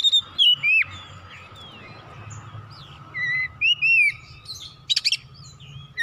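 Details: Oriental magpie-robin (kacer) singing in an energetic 'gacor' style meant to stir another bird; short bright whistled phrases, some sliding up and down, come in scattered bursts over a faint low hum and a steady thin tone.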